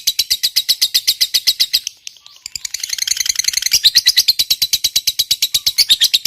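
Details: Fighter lovebird's long 'ngekek panjang' chatter, used to stimulate silent lovebirds: rapid shrill rattling, a brief pause near two seconds, then a denser burst of chatter resuming into evenly paced high notes.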